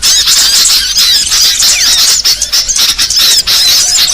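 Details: Small birds' chatter played as a trapping lure: many high-pitched chirps and short squeaky whistles piled together in a steady, busy stream, with a few brief dips in loudness.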